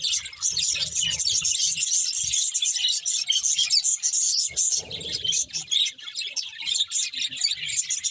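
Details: Several budgerigars keep up steady high chattering and buzzy warbles, with a brief lower murmur partway through and soft low bumps.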